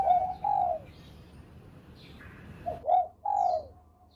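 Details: Bangkok-type zebra dove, kept for song, cooing in the Susi Susanti cengkok style: two mellow falling coos, a long gap, then a clipped note, a rounded coo and a longer drawn-out coo.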